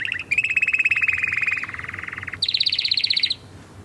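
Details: Short burst of canary song: a brief chirp, then a long steady buzzing roll that drops slightly lower, followed by a higher quick trill.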